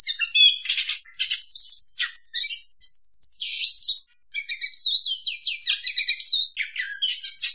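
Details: Oriental magpie-robin (kacer) song played as a lure to trap birds: busy, high chatter of trills, buzzy notes and sliding whistles, with one short pause midway.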